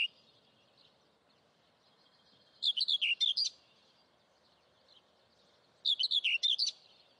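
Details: Saker falcon chicks calling at their nest, Hungary, 11 May 2012, via nest webcam: two separate bursts of six or seven quick, piercing, descending squeals, roughly three seconds apart, with quiet between.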